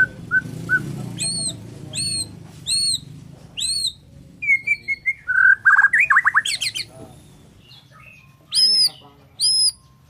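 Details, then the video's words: A Borneo white-rumped shama's morning song: a row of high arched, ringing notes, then tumbling slurred whistles and rapid clicks, closing with a few more bright high notes after a quiet gap. "KICAUAN MURAI BORNEO PAGI BIKIN MURAI MANAPUN SEKETIKA TERPANCING IKUT BUNYI"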